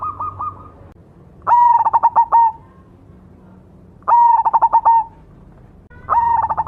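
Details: Black cemani zebra dove performing its song: three loud phrases of rapid, rolling, resonant coo pulses, each about a second long, separated by quiet gaps, after a short higher opening run.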